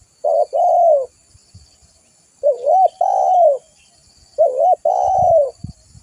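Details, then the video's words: Lure recording of a spotted dove. Three evenly spaced cooing phrases, each a quick dipping double note and then a longer mellow coo falling away, roughly two seconds apart. Light rustles below, and a faint hiss sits high in the background. "Suara burung tekukur gacor buat Pikatan"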